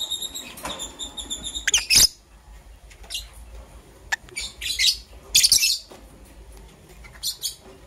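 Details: Green and blue lovebirds preparing for egg laying, calling in the morning: scattered shrill chirps and short raspy bursts, strongest around two and five seconds, separated by quieter stretches with faint clicks.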